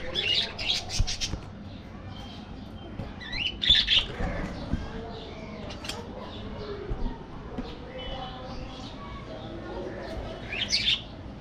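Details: Budgerigars in an aviary, flying and playing: bursts of bright, scratchy chirps and warbles, strongest near the start, around four seconds and near the end, over a steady low rumble and soft background chatter.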